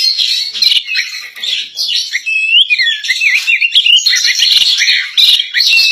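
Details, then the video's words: Female Oriental magpie-robin singing vigorously, matching the males: a dense, continuous run of high chattering and whistled phrases with quick rising and falling slurs, almost without pause. "burung kacer betina ini gacor"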